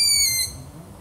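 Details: Fragment of a long-eared owl's piercing, thin squeal, strongly overtoned and sagging a little in pitch before cutting off after about half a second; quiet background.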